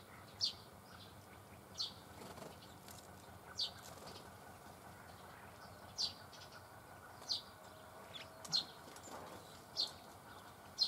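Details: Red crossbills with bramblings at Dohr in the Eifel, Germany, on 24 October 2015: short sharp high chips repeated roughly every one to two seconds over a steady low background hiss.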